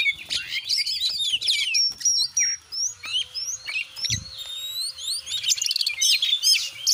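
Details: Kacer (Oriental magpie-robin) singing on a clear tutoring recording meant to stir birds into fluffed display. A busy stream of twittering chirps and clear rising and falling whistles, broken by a few sharp clicks and short pauses.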